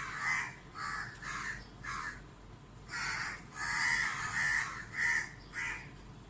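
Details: A mob of crows circles a barn owl dazzled by sunlight at a neighbouring house in Dhaka, Bangladesh. Rapid, rough caws run almost continuously from several birds, with a louder overlapping stretch midway.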